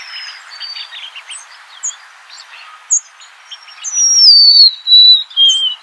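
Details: Soft twittering of other birds gives way to a loud golden-crowned sparrow whistle, a high note sliding down in three mournful steps.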